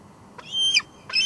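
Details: Female bald eagle at the Two Harbors nest, live cam, evening of 24 July 2022: a faint lead-in, then a drawn-out high squeal and the start of another.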